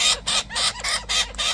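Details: Young wild Australian king parrot with a pinkish beak, begging its parents to feed it on a sunny morning at a garden feeding spot, gives loud, harsh, grating calls, about four bursts in under two seconds.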